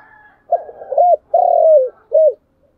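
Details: Spotted dove cooing in the chiêu and thúc styles: a short phrase of three to four low, hollow coos, the longest a drawn-out falling note, in otherwise quiet surroundings.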